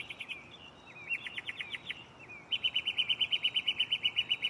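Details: Mockingbird in a tree nearby at night, running through its varied catalog of songs: a chirpy phrase, a quick buzzy stuttered series with a slurred whistle, then a fast even train of bright repeated notes.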